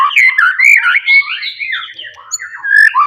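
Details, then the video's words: Wild forest white-rumped shama in loud rival-provoking song, a continuous warbling stream of slurred, wavering whistles rising and falling without pause. "KICAUAN ASLI MURAI BATU HUTAN. MEMANCING EMOSI LAWAN"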